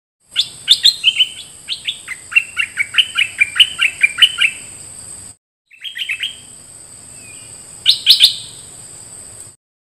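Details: Bulbul used as a decoy bird, one of three, giving a bubbly run of short chirpy notes that slur downward, about a dozen in quick succession. After a brief pause comes a shorter burst, with a steady high thin whine throughout.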